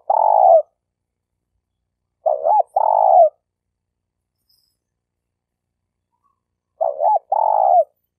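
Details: Stuttering spotted dove lure call, played to teach freshly caught birds: a short hooked coo followed by a longer rolling coo, the pair repeated about every four and a half seconds, with no other sounds.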